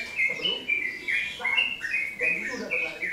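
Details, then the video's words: Yellow-vented bulbul, or trotokan, singing loudly and continuously: bright, liquid whistled notes in short rolling bursts that rise and dip, repeated without pause, with lower bubbly undertones. "Burung trucukan/ trotokan gacor"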